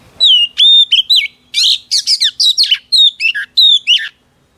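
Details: Female Oriental magpie-robin singing to rouse a male, mixing clear falling and level whistles with bursts of harsh buzzy notes in a varied, continuous phrase of about four seconds.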